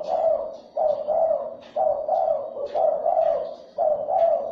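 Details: Spotted dove coos used to excite and lure other doves: repeated paired hollow notes, each pair about a second long, running back to back in a steady rhythm.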